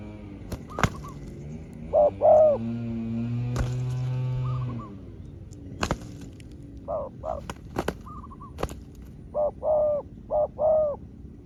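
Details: Spotted dove answering a small-voiced wild dove in a drawn-out duel: scattered short coos in pairs and triplets amid loud clicks, taps and a low droning hum.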